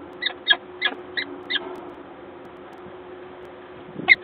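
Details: Peregrine falcon at a nest in Gdańsk, Poland, on 1 April 2022, recorded by a live nest camera: five short, sharp calls about every third of a second, a pause, then one final call, over a steady low hum.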